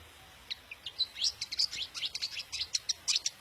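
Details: Singing long-tailed shrike of the daput kind, song used to get other shrikes singing hard and excited: a rapid, jumbled chatter of thin high chirps and buzzy twitters, almost three notes per second, after a brief silent start.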